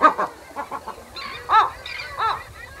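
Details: A Western Gull pair at the nest gives low-intensity anxiety calls: short, nasal, arched notes in a quick run of clipped calls, then single louder barks spaced well under a second apart.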